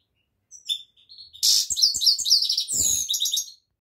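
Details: Goldfinch opening with a few high thin notes, then a dense, fast jumble of bright tinkling and buzzy twitters lasting about two seconds.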